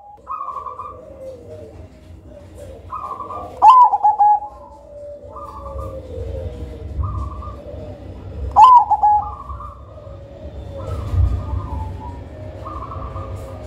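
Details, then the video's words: Black (cemani) zebra dove (perkutut) giving soft, bubbling coo phrases near one pitch, repeated every few seconds with a couple of louder, sharper notes, over a low background rumble; used as a lure song. "Perkutut Hitam Majapahit Suara Tebal Lantang Aduhai Irama Syahdu Cocok Buat Pancingan"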